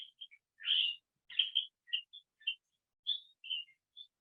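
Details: A California Thrasher, found in chaparral and at the California Botanic Garden, sings a string of varied, choppy phrases, some scratchy and some clear whistles, about two or three each second, with borrowed bits of other birds' songs. No other sounds.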